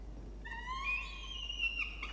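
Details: A peregrine falcon chick, camera-recorded in its water-tower nest box in Orange, NSW, Australia, protests the cleaning of its nest on 17 November 2021 afternoon. One long, shrill, rising whine with a harsh edge, then a brief clatter.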